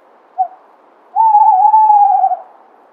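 A tawny owl gives a short soft note, then a long, steady, slightly wavering hoot lasting over a second at a low-mid pitch; quiet background.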